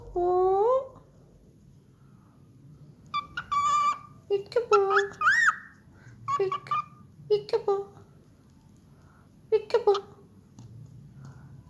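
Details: A baby cockatiel, singing and talking for the first time on video, whistles a short tune and mimics speech with rising, slurred syllables, then says "peek-a-boo".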